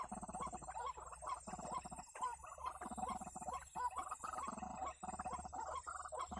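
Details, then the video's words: White-breasted waterhen (ruak-ruak) calls used as a lure to draw birds toward a trap: dense, harsh, rapidly pulsed chattering in repeated bursts, with short gaps near two and four seconds and a steady background tone. "Pikat Ruak-Ruak"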